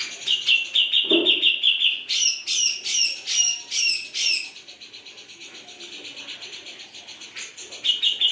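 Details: Loud gacor song of a grey-cheeked bulbul: a quick high trill, a soft low thud, then five harsh rasping notes in steady succession, fading into a thin buzzy trill before the trill returns.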